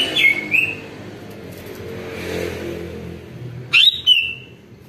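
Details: Greater green leafbird singing as a lure so other birds respond: a rising whistled note with a short trill, a long gap with passing traffic hum, then a loud upswept whistle dropping to a level warble.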